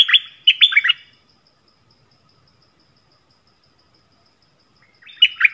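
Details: Decoy yellow-vented bulbul song recorded on 20 March 2021 for luring wild birds: a bright, bubbly burst of tumbling whistled notes, then a long pause before the next phrase starts at the end.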